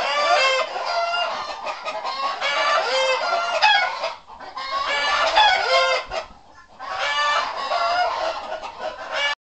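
Two turkeys call together in dense, rattling, harmonic bursts, three long volleys a few seconds each with brief gaps between them.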